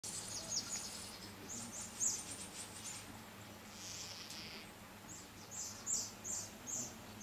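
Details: Red-billed firefinch (Lagonosticta senegala ruberrima) at Kibuye, Rwanda, March 2013, giving thin, very high, short call notes, singly and then in a quick cluster of three or four, over a soft background hiss.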